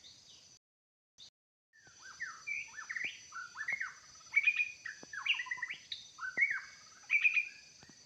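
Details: White-rumped shama used as a lure to draw wild birds into a trap in forest, singing a varied run of rich whistled phrases, slurred upward and downward notes and clear fluting notes, with a steady high insect drone behind.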